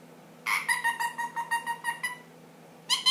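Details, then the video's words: Pet ring-necked parakeet, ten months old, uttering a fast series of about ten pulsed, nasal, stuttering notes over a second and a half, followed by a brief harsh squawk. "My funny noise ringneck"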